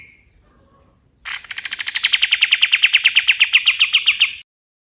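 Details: Male kapas tembak white-eye at dawn, a master recording for songbird training: a faint short chirp, then a loud three-second series of about twenty-five sharp, rapid notes sliding slightly lower before stopping abruptly.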